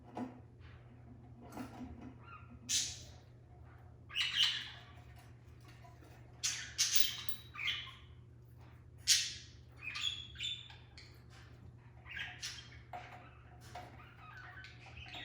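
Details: Budgerigars, five pet parakeets in a cage with a new nesting box, give scratchy squawks and bright chirps in irregular bursts over a steady low hum; a bird inside the nesting box makes a knocking sound.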